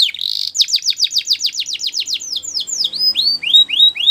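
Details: Singing Russian canary: a short buzzy note, then a steady series of about fifteen crisp downward-sweeping whistles, ending in rising, looping whistled phrases.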